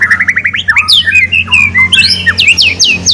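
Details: White-rumped shama song intended to spur a chattering bird into full singing: a quick row of short rising whistles, then varied slurred and buzzy notes jumping between low and high pitches.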